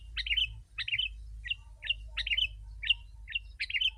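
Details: Lure recording of a sooty-headed bulbul aimed at wild birds, with loud, dense calling: bright chirped notes, some in double bursts, repeated roughly every half second over a faint low droning hum.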